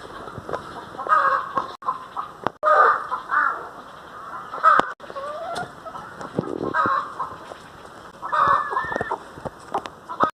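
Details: Repeated nasal, honking calls from a domestic hen, spread across the recording at irregular intervals, mixed with knocks and rustling.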